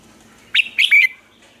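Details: Red-whiskered bulbul, a caged lure bird in Vietnam used to train other bulbuls' voices, delivers a single quick, rich phrase of three liquid notes ending in a short sustained whistle.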